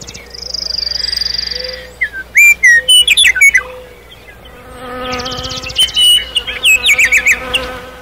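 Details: Night forest nightingale song: a sustained high buzzy trill, then loud sharp whistled notes in quick succession, followed by another rising run of rapid chirps, over a low background hum.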